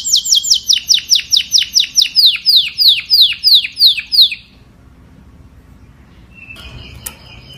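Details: Canary singing to call the flock: a fast series of bright, downward-sweeping whistled notes, about three per second for four seconds, then a pause and one short final note.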